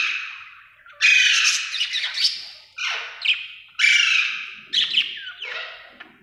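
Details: Happy budgerigar giving loud, harsh squawking chirps in bursts about a second long, separated by short gaps, each with a raspy, buzzy texture.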